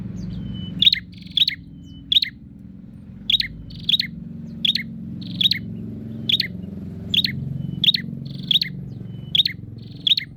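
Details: Bar-winged prinia calling while seeking a rival: sharp, high chirps repeated about every half second to one second, each a brief bright burst, over a low steady background hum.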